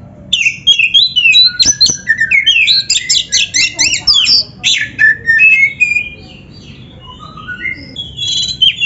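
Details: Oriental magpie-robin training song, played to stimulate a captive bird into song and fighting display, pours out a dense, varied stream of whistles, trills and sharp notes, tapering into softer scattered phrases.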